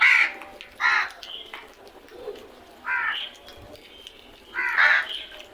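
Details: Crows giving loud, harsh caws: four raspy bursts of about half a second each, spaced unevenly over several seconds, with quiet gaps between.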